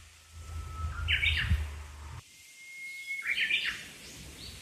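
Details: At a tidy little shrine, a Japanese bush warbler gives two phrases, each a long, pure whistle followed by an abrupt, tumbling flourish, with low rumbling outdoor noise at the start.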